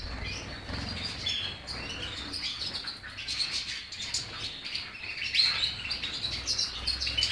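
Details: Goldfinch song of fast liquid twitters and short trills, high and rapid, over a steady low hum, with a few clearer whistled notes near the end.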